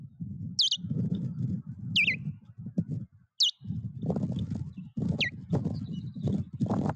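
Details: Osprey at its nest in the Puszcza Napiwodzko-Ramucka forest, Poland, 14 April 2023, as a foreign osprey attacks the nest; four sharp, high downslurred whistles roughly one and a half seconds apart over heavy low rumbling and rustling.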